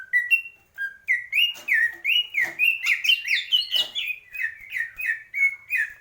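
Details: Greater green leafbird singing a lively run of loud whistled notes, each rising then dipping, repeated about twice a second with a few sharp higher chips mixed in.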